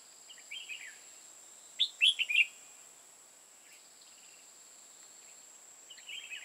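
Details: Decoy red-whiskered bulbul at a trapping site in Hòa Bình, Vietnam. Soft warbled notes lead into a loud burst of three or four rich, fluty, tumbling notes. Quieter chirps follow, over a constant thin high-pitched hum.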